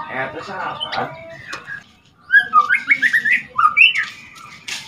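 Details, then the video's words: White-rumped shama fledgling, two months old, practising rattles and whistles that provoke other shamas. Voices at the start, then a rapid run of loud, bright whistled notes, each sliding up or down. "Ketrekan dan siulan murai trotol pancing emosi"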